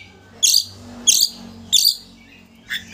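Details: Harsh rasping notes from an Oriental magpie-robin lure recording for provoking a rival to open its tail, three loud broad bursts about two-thirds of a second apart, then two softer chips.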